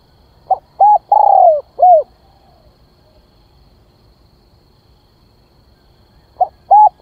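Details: Spotted dove calling as a lure to attract other birds. A full four-part phrase opens the recording: a brief note, a rounded coo, a drawn-out descending purr and a closing coo. After a long silent gap the next phrase begins.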